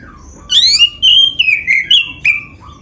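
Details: Oriental magpie-robin, black-breasted type, singing a loud full song with mimicked phrases, played to prompt other magpie-robins to sing: clear whistled notes sliding and falling, a sweeping upward slur, then short bright phrases over a quiet background.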